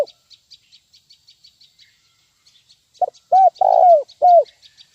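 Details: A steady run of high, sharp chirps from another bird leads into a single 'nguku' phrase from a spotted dove, a lure call for teaching birds: a clipped note, then rounded, deep, rolling coos.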